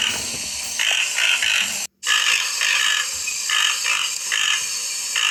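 Toco toucan giving a series of hoarse, rasping croaks, about two per second, with a brief break midway, over a steady high hiss.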